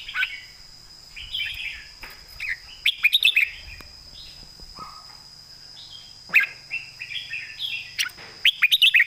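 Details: Competition Red-whiskered bulbul pours out a full master song with a thick core. Mellow warbled phrases alternate with several bursts of quick, sharp staccato notes, all over a faint steady high hum.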